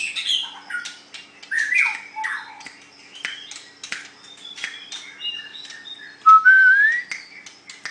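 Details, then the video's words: White-rumped shama singing competitively: scattered sharp clicks and chips interspersed with slurred whistles, ending in a loud clear rising whistle, over a faint constant hum. "Cara Mengadu kekuatan Ocehan Burung Murai batu white rumped shama"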